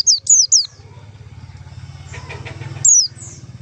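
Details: White-eye lure call: a quick run of three high, downward-slurred whistles, a pause of about two seconds, then one more falling whistle, with a persistent low rumbling hum underneath.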